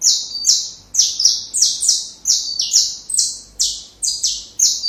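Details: Saffron finch training song for young birds: a continuous run of around ten loud buzzy notes, each falling a little in pitch, delivered at a quick, even pace.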